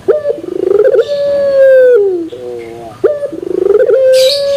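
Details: Barbary dove (puter pelung) giving a low, rolling coo that swells into a long steady hum, the phrase coming twice about three seconds apart.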